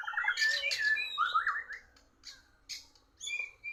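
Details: White-rumped shama losing a singing match to a Borneo bird. A burst of harsh squawky and rich warbled notes, then sparse sharp chips and short high whistles with pauses.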